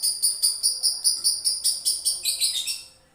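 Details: Male lovebird in a long-duration ngekek: rapid rhythmic bursts of shrill, rasping notes, roughly four per second, dropping slightly in pitch near the end before trailing off into quiet.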